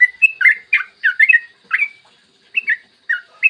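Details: Lively morning song of a yellow-vented bulbul, used to prompt other bulbuls to sing: bursts of gurgling, slurred whistles in rapid clusters, a short pause midway, then three spaced bubbly phrases.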